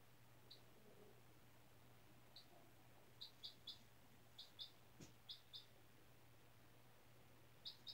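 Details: Series of high, short chirps from a 4-day-old chick hatched April 17 in a school incubator, on fresh bedding indoors; quiet at first, then clustered peeps, one soft thump, steady background hum.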